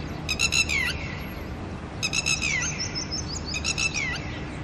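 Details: Anxious red-wattled lapwing pair with chicks in the early morning, disturbed by someone nearby: three clipped bursts of rapid, sharp notes ending in a falling slur, spaced about two seconds apart, with faint calls between.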